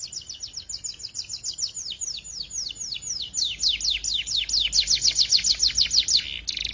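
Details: Morning canary song for prompting other canaries to sing: one long continuous run of high, quick downward-sweeping trill notes, pulsing in loudness throughout.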